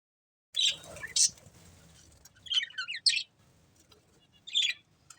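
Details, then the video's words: Breeding pair of budgerigars chirping: short bright broadband chirps in scattered bursts about every second or two, separated by quiet gaps, with faint low rustling underneath. "Cute Budgies Chirping Sounds"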